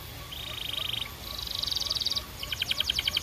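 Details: Belgian canary giving three fast buzzy rolls in a row, the last one louder and more spaced, pulsing rapidly, high-pitched, with background hiss and low hum.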